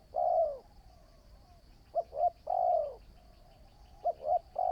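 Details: Spotted dove in decoy training gives repeated coo phrases: a drawn-out falling coo, then paired short notes and another long coo, cycling roughly every two seconds, a steady faint high tone behind.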